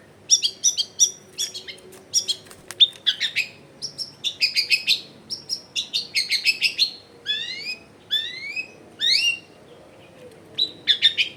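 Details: Energetic long-tailed shrike song rich in varied phrases, recorded at home in a densely populated area as a lure for quiet shrikes: dense high chirping, then a series of rising, whistled sweeps repeated about every second.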